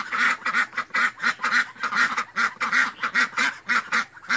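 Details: Clear duck quacks, each a short nasal, rasping note, repeated about three times per second in a steady run.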